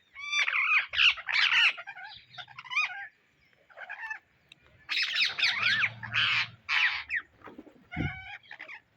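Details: Indian ringneck parrots searching for seeds make loud groups of raspy, harmonic squawks. A quieter stretch comes before a second burst of harsh chatter, with a faint low hum underneath.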